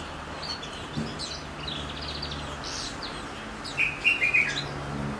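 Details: Singing goldfinch mule giving scratchy, twittering phrases and short buzzy trills, then a louder burst of clear, ringing chirps near the end; faint background hum.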